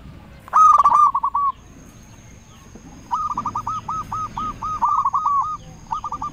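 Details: Zebra dove lure call meant to provoke rivals into replying and stir breeding drive: a short loud rolling burst, a pause, then a long rhythmic series of bouncy repeated coo notes with a faint steady high tone behind.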